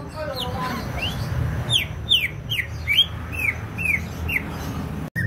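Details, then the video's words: Greater green leafbird from Banyuwangi singing actively: a steady series of loud downward-sweeping whistles roughly every two to three tenths of a second, with a brief sharp click near the end and low hum throughout. "CUCAK IJO BANYUWANGI GACOR"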